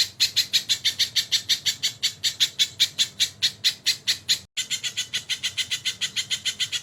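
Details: Tutor recording of a crested jay with kingfisher fills: quick repeated rasping squawks, about four a second, a short silent cut partway, then the same harsh series continues.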